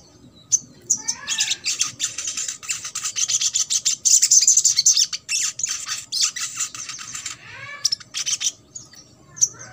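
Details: Sunbird trotol song used to provoke a silent or lazy Ruby-cheeked sunbird into singing: long, rapid, high, buzzy chatter with a few thin slurred notes at start and end.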